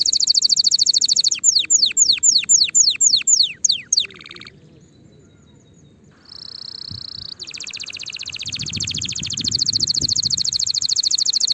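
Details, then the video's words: Canary song for training young birds before the season: a shrill trill turning into sweeping falling whistles, a pause, a held buzzy note, then a dense fast high trill over faint background noise. "تغريد كناري"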